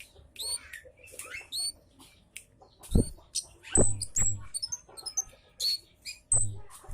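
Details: Scarlet-headed flowerpecker lure calls, loud "citt" notes used to draw birds in: a busy jumble of very high, thin, downslurred chips and short twittered notes, with low dull thumps underneath.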